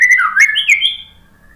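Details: White-rumped shama phrase from a lure song for birds that are lazy to sing after moulting: a few looping whistled slurs, rising at the end and fading out.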